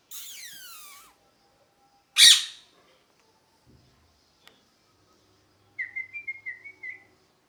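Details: Parrot calling: a descending wavering screech, a loud harsh squawk, then a run of short whistled warbling notes near the end, with a quiet background.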